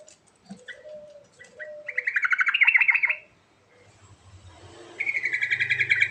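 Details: Bubbling phrase from a sooty-headed bulbul, a fast run of throaty warbled notes, preceded by short whistles and chips and followed by another rapid pulsing phrase, with a low hum underneath.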